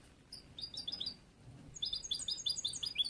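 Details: Short burst from a young bruno amarillo goldfinch still learning its contest song: a few high chirped notes, a brief gap, then a fast run of bright repeated twittering syllables.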